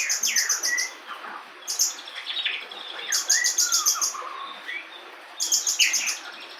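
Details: Branjangan, a local bush lark, in full-repertoire song: repeated high buzzy rattles every one to two seconds, mixed with lower whistled slurs and short chirps.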